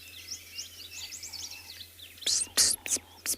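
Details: On a 15 October sunrise game drive in Tswalu Kalahari Reserve, South Africa, with morning sounds quieter, a White-bellied Sunbird gives thin, high, quick chirps and short twitters for two seconds. Loud, hissing bursts of close whispering then cut across it.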